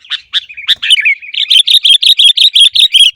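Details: Training song of the sooty-headed bulbul (kutilang), meant to prompt caged birds to sing: a few separate chirps, a falling slurred note, then a rapid steady series of bright, evenly spaced chirps.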